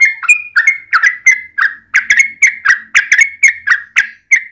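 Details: Lure recording of a yellow-vented bulbul, meant to make other bulbuls sing. It gives quick, liquid, gurgling notes, each a sharp chip sliding into a short whistle, repeated about four times a second with uneven spacing.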